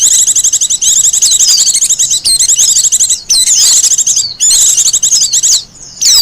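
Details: Song of a wild Japanese white-eye, for luring and master training: energetic, dense high-pitched chatter of quick trills and sliding whistles, nearly continuous with a few short gaps.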